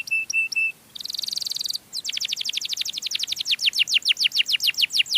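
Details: Canary singing a melodious song used as a lure for other canaries: three clear whistled notes, a brief buzzy trill, then a fast run of high downward-sweeping notes that grows louder and quicker.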